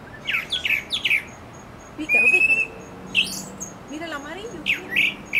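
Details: A Brown Thrasher singing in a mango tree gives varied, rich phrases of slurred whistles and buzzy notes with short pauses between them; a few soft notes from other birds sit underneath.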